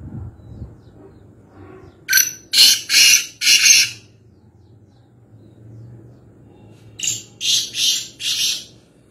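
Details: Black francolin (black partridge, locally kaala teeter) calling near Nawabshah, Pakistan: two harsh, grating phrases about five seconds apart, each of four loud rasping notes in quick succession, over a quiet low background hum.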